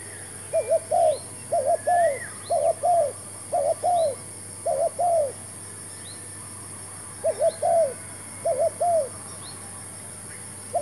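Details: A decoy spotted dove used for trapping repeats grouped low coo phrases, several close clusters of hollow notes, then a pause of a few seconds before more. Faint thin chirps of other birds and a steady high hum underlie it.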